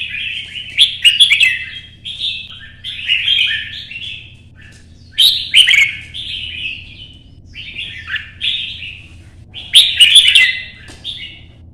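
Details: In morning sunshine a red-whiskered bulbul sings competition song to provoke other birds: five or six separate bright warbled phrases, each with sharp opening notes, spaced about every two seconds.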